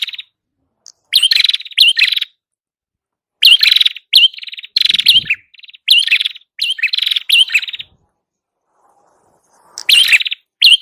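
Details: Song of a red-headed prinia used as a lure: repeated short buzzy trills, each led by a quick upward slurred whistle, delivered in rapid bursts with brief silences between.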